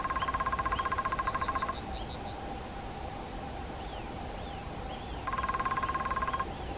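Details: Black woodpecker (Dryocopus martius) gives two long, even drum rolls, each about a second and a half of rapid knocks, with thin high chirps from small birds and a low rumble behind.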